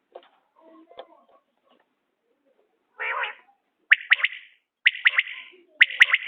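Common quail giving three bursts of its sharp, liquid three-note 'wet-my-lips' call, about one a second, after a soft rasping note and faint background sounds.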